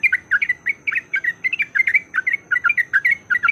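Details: Lure recording of yellow-vented bulbul fighting song: quick, evenly paced chirpy double notes, roughly five a second, over a noisy low background.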